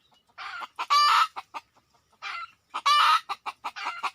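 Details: Wild red junglefowl approaching: soft rasping notes, two loud harsh crow-like bursts and a string of short clucks in between.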